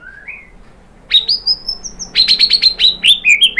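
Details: White-rumped shama song meant to provoke rival birds to sing. It starts with a soft low whistle and a long, high, drawn-out whistle, then bursts into quick, sharp repeated notes.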